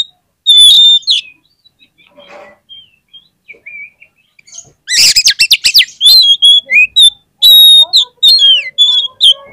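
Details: Oriental magpie-robin lure song, meant to set other magpie-robins singing. Scattered clear whistles open, then a dense, loud burst of harsh rattling notes gives way to pure whistled notes and quick slurred phrases.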